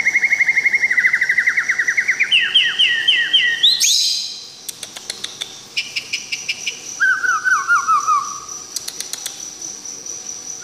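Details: White-rumped shama, recorded directly, singing a varied song: long series of quick repeated whistled notes that step higher in pitch, then sharp clicks and a falling run of whistles.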